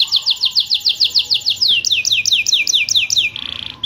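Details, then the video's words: Canary in full rolling song used to stir quiet canaries: a rapid chain of loud, down-swept whistled notes, then a brighter run of clipped rising notes, ending in a short soft buzzy trill. "burung kenari Gacorr ngeroll cuit-cuit!!!!Cocok untuk pancingan kenari malas bunyi,,langsung nyaut!!"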